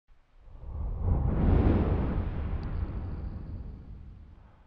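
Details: A loud, low rumbling whoosh swells over the first two seconds and then slowly fades, with no animal voice heard.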